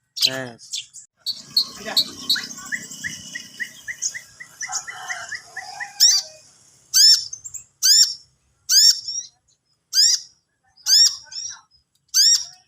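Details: Long-tailed shrike practising song: a mix of scratchy notes and short repeated whistles, then a series of loud sharp upslurred calls spaced about a second apart.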